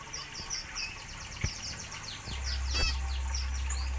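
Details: Aviary zebra finches chatter with rapid high nasal chirps and a few sharper clicks, while a steady low drone grows louder in the second half.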